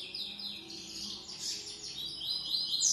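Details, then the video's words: Green-winged saltator sings an unusual, unidentified song type: quick, high, sweeping whistled phrases that rise and fall almost without pause, over faint background hiss. "TRINCA-FERRO CANTO DIFERENCIADO"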